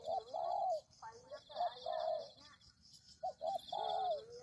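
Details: Recording used to attract spotted doves: a drawn-out falling coo, then a burst of rougher overtoned notes, then two quick coos followed by a longer sliding one, over a high steady buzz.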